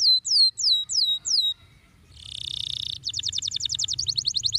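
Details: Prolific 'gacor' canary singing in the rolling 'ngeroll' style, played as training for young canaries: a run of sharply descending whistled notes, then a dense buzzy passage, then a rapid repeated trill of short high notes; faint low hum beneath.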